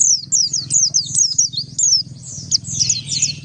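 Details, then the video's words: Buxtoni Oriental white-eye singing a dense ngalas phrase, a lure for other white-eyes: a rapid, unbroken string of high, zigzagging whistles over a continuous low hum. "pleci Buxtoni ngalas 12345 pancingan pleci bahan agar cepat bunyi"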